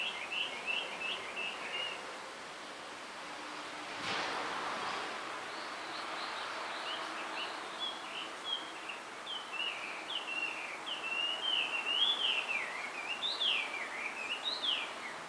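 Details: On a bamboo hill, a male blue rock thrush sings for a female: early whistled notes, a sharp knock, then a long, increasingly lively series of zigzagging warbled whistles, with rustling background noise.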